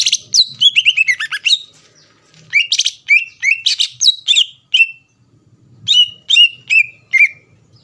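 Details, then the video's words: Greater green leafbird song used to provoke rival leafbirds into singing: loud, rapid varied phrases of sharp down-slurred whistles and chips, bursts repeated in quick series with short pauses. "PANCINGAN CUCAK IJO GACOR AHLI MEMANCING CUCAK IJO LAWAN AGAR EMOSI"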